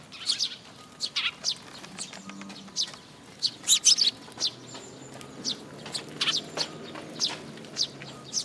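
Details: Sparrows converging on a feeding spot on a post at a Tenmangu shrine, 26 June 2022, chatter in dense clusters of sharp high chirps, with a faint low hum in the background.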